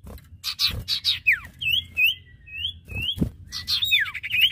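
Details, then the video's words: Male and female common iora singing, with rough harsh bursts and falling whistles around a short run of sweet looping whistled notes, and a few thuds in the background. "Suara Burung cipoh/sirtu jantan dan betina gacor!"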